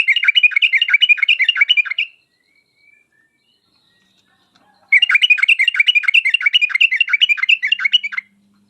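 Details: Yellow-vented bulbul (trucuk) giving sharp, lively 'uplik uplik tarong ropel' song, used to draw answers from other bulbuls; two long runs of rapid, rhythmic chattering whistles with a silent gap of nearly three seconds.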